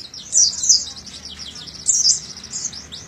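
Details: Oriental white-eye (pleci dakun), young birds, training recording meant to get untrained birds singing: two short bursts of high, thin, rapid twittering chirps separated by a quieter gap.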